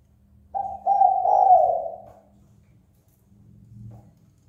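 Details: Spotted dove calling to provoke other birds to fight: one drawn-out, slightly wavering low coo lasting about one and a half seconds, then quiet with a low hum underneath.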